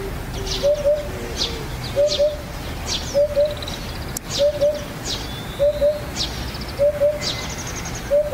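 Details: Eurasian Hoopoe, a rare vagrant seen at the foot of Yatsugatake, Japan, repeating soft low two-note hoots about every 1.3 seconds, with scattered high chirps and whistles from other birds around it.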